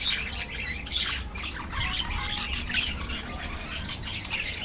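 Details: Budgerigar flock in an aviary, squawky chirps and twittering warbles running together throughout.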